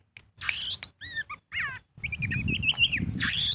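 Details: Oriental magpie-robin singing as a lure for other birds, ngobra style: a few harsh scratchy notes and falling whistled slurs, then a wavering run of repeated whistles against louder low rumbling background noise.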